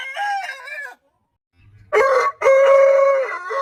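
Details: Rooster crow ending with a wavering, nasal tail, then after a pause a fresh crow: a clipped harsh first syllable and a long, even, loud held note.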